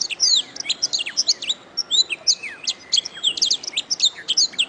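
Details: Canary tutor song: continuous, energetic chatter of high twittering notes, sharp downslurs and short whistles, repeated rapidly throughout with brief pauses.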